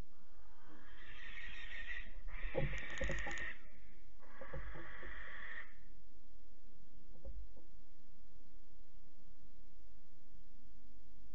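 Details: Barn owls at a nest box in Alphen on 8 Aug 2019 at 23:33, as the parents chase away their roughly 12-week-old young to reclaim the box: three long, harsh, hissing screeches in the first six seconds, then soft knocks against a low hum.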